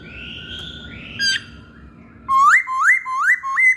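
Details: Masked laughingthrush song played to get other birds to sing: a long steady whistle, then a series of four rising whistled notes repeated about every half second, with a faint background hum.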